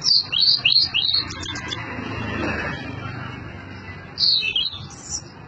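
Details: Blue-and-white flycatcher song: a quick run of high, sweet whistled notes sweeping up and down, a pause, then a second shorter burst, over a steady low hum.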